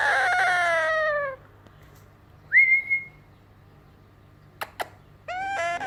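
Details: Meowing like a cat, a young yellow Indian ringneck parakeet gives a falling harmonic moan, then a brief clear whistle, two sharp clicks, and a new meow rising at the close.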